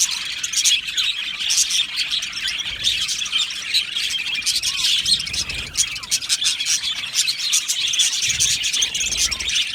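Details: Budgie colony in an aviary, many birds producing a continuous high twitter mixed with frequent scratchy squawks and short rising squeaks, all overlapping without pause.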